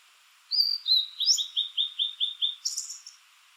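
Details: Blue-and-white flycatcher, a summer visitor to low hills and mountains of Japan north of Kyushu, singing slowly from treetops or prominent dead branches: two high clear whistles, then seven even slurred notes in a row, ending in a brief buzzy flourish.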